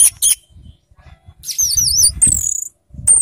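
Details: Caged orange-headed thrush (anis merah) in Indonesia, exhausted after exercise, singing brief high whistled phrases, some wavering and sliding, separated by short pauses, with low rustling and thumping in the cage.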